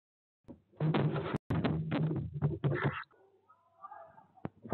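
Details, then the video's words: Tawny owl chicks, eighteen days old, in a nest box at De Mortel, Netherlands, fighting over prey at 23.03 on 18 April as the mother returns; harsh, broadband rasping bursts with thumps and scuffling, then fainter wavering hisses. "Bosuil kuikens strijden om prooi"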